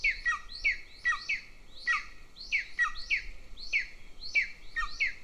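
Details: Younger golden eagle chick begging in the nest near the Central Training Field, Estonia, while the mother feeds the older one; loud, shrill descending peeps, somewhat irregular, occasionally doubled, with light background hiss.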